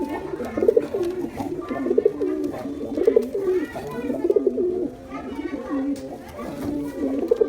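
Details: Male and female pigeons cooing indoors, used to attract pigeons: low, throaty rolling coos that rise and dip, repeated roughly every second, with what sounds like a voice in the background and a small-room echo.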